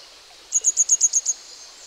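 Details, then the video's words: Young grey wagtail uttering a rapid series of seven very high, short, ticking notes at an even pace over less than a second, clean and evenly spaced, with only light ambient hiss behind. "Vögel und ihre Stimmen - Gebirgsstelze(Jugendkleid)"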